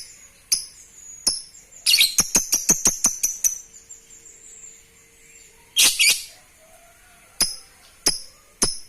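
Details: Lovebird, played to stimulate breeding mood, giving sharp high chirps, then a fast burst of about eight clicking chirps, a harsh rasping squawk near the middle, and a few more single chirps spaced apart.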